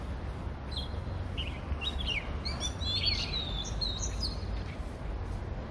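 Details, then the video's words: An Oriental magpie-robin in Hong Kong sings a varied run of clear whistles and short sweet phrases, rising and falling, over a steady low rumble; a bulbul calls monotonously in the background. "Song of Oriental magpie-robin (Copsychus saularis)"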